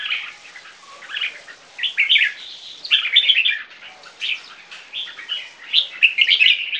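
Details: Young red-whiskered bulbuls, Viet-Thai crossbreeds aged three months, kept caged and competing in song: choppy warbled phrases, loudest at the start and end, with clipped chirps and quick rising notes and gaps of near-quiet.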